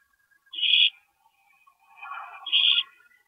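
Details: Nighttime owl nest, 2:40 AM, April 22, 2012, with a parent stopping by: two short, raspy hissing screeches about two seconds apart, with a muffled, lower rustling murmur between them.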